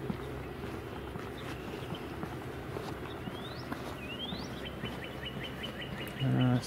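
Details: A Northern Cardinal sings close by but out of sight, possibly the same bird as one heard earlier. It gives two rising slurred whistles, then a quick run of about ten clear repeated notes, over a low rumble and a man's voice.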